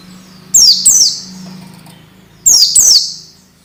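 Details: Masteran for orange-headed thrush, played to make young birds start singing: two pairs of sharp, high downward-sweeping whistles about two seconds apart, over a steady low hum.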